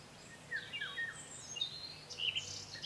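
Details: In spring in Provence, a Common Nightingale still singing in a walnut tree near a hoopoe nest with chicks gives a varied run of rich whistles, slurred notes and quick high trills, phrase after phrase, over a soft outdoor hiss.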